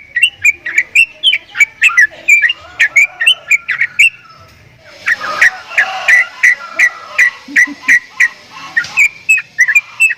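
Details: Javan myna with strange sounds, delivering quick chattering whistled notes with sharp clicks, a brief pause, then a further run of similar notes over a hissing background.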